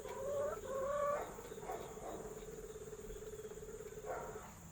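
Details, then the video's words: Hen getting ready to lay an egg, with several hens doing the same: a drawn-out, wavering nasal call, then a steady low pulsed murmur with a brief rise near the end; a person speaks quietly nearby. "Chicken sounds when getting ready to lay an egg"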